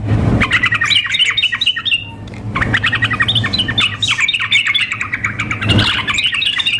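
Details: Sooty-headed bulbul female calling a male, mixed with an energetic singing bird for contest practice: strings of sharp, clipped chirps in rapid series, a short break near two seconds, then steady chattering.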